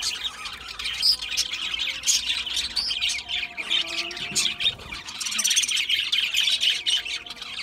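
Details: Budgerigars busy with a seed mix chatter continuously in high chirps and squeaky warbles, with a faint lower hum midway through.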